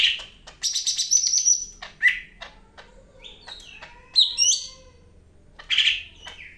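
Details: Energetic song of a greater green leafbird from Medan: a rapid trilled run of high notes, sharp clicks, then swooping whistled phrases and a rich burst near the end over quiet hum.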